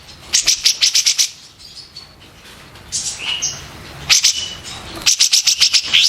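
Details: White-eared bulbul song meant for tutoring contest birds: groups of about seven fast, sharp, high clicking notes separated by a soft warbled passage.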